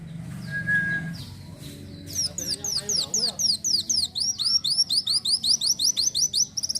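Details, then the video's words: Van Hasselt's sunbird, locally kolibri wulung, in gacor isian song. Low hum and faint voices open, then rapid, evenly repeated high whistles slide downward, several per second, ending in a brief buzzy trill. "masteran burung kolibri wulung (Kowul) gacor isian"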